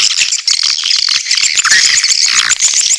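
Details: Swiftlet lure call with quick runs of sharp, very high chirps repeated in rapid series over a steady background of squeaky twittering.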